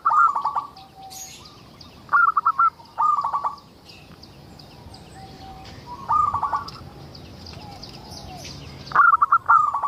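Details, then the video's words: Local zebra dove, played to lure other zebra doves into singing, delivers staccato pulsed phrases in pairs with pauses of several seconds between, soft low tones in the gaps and faint high chirps from nearby birds. "Suara indah perkutut lokal gacor untuk pancingan"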